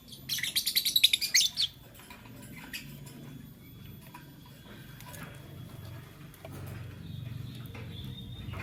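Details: Lutino and Blue Opaline lovebirds in the morning give a quick run of about a dozen shrill, pulsing high chirps at the start. Soft clicks and low background hum follow.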